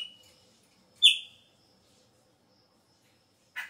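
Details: Chopi blackbird at the start of the breeding season: a thin whistle, then a loud sharp downslurred whistled note, and after a pause a short raspy burst.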